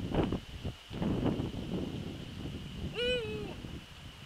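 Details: Eurasian eagle-owl visiting its nest on the evening of 27 December 2013, calling several times: after a few knocking and rustling sounds comes one loud, harmonic, whining call that slides gently downward for about half a second, over a steady high electronic whine.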